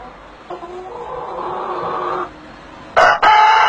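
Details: A rooster that looks angry gives a loud, drawn-out, harsh crow lasting nearly two seconds, followed by a loud, rough burst that starts a second crow.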